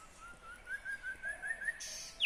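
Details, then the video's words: Soft whistled notes from a nightingale recorded in Kyrgyzstan in 2020 rise gradually in a steady series, ending in a short, bright, high flourish. "Незабываемое Пение соловья / Chill out Nightingale Singing / Булбул уну / Булбул овози"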